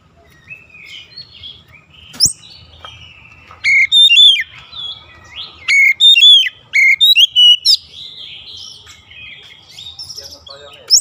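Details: Oriental magpie-robin singing as daily training toward long rolling song: quiet warbling gives way to loud clear whistles, rapid downslurred notes and sharp high chips in clustered phrases.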